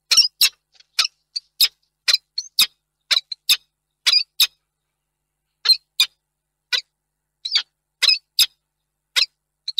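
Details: Male peregrine falcon at Reda, Poland, on 2 March 2022, wailing in vain for a female that did not arrive; short sharp high-pitched notes, mostly single or paired, repeated about every half second, with quiet background.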